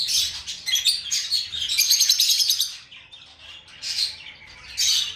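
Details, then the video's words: Pet lovebird singing and chirping: dense, high, scratchy twittering and squeaky chirps in continuous bursts, with a brief quieter lull midway and a low background hum. "Lovebird Singing & Chirping Sounds"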